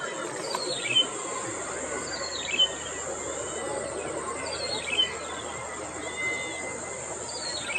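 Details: Yellow-bellied prinia (Prinia flaviventris) at Okhla bird sanctuary giving short, high, chirping phrases roughly every two seconds, against a steady shrill insect drone and general outdoor hiss.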